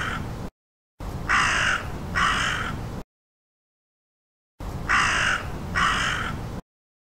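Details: Crow cawing: harsh, loud caws given in pairs, two rasping notes about a second apart, then a silence and another matching pair, with no other sounds.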